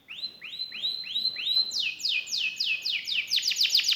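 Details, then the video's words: Canary singing a rising sequence of phrases: slow downslurred whistles about every third of a second, then faster higher sweeps, ending in a rapid run of sharp notes. "KENARI GACOR CENGKOK ISTIMEWA,ISIAN MEWAH,BANYAK DICARI PECINTA BURUNG KENARI..!!"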